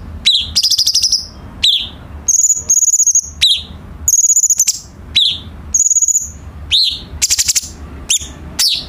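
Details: Cucak cungkok bulbul singing as a tutor for captive songbirds: high down-swept whistles mixed with rapid buzzy trills and sustained high piping notes, in quick bursts against a low background hum.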